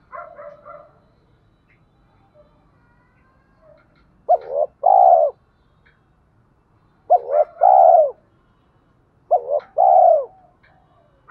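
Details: Spotted dove in rustic-style cooing meant to draw wild doves in to fight; three loud phrases, each a quick double note followed by a drawn-out falling coo, repeated every few seconds, with faint cooing between.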